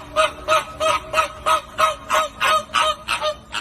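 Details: Flamingo honking in a regular series. Clear nasal, trumpet-like notes are evenly spaced about three per second, each slightly rising then falling.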